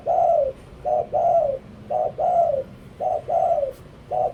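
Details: Decoy spotted dove singing close by: brief coo notes, each followed by a drawn-out coo that slides downward, the pairs repeating steadily about once per second.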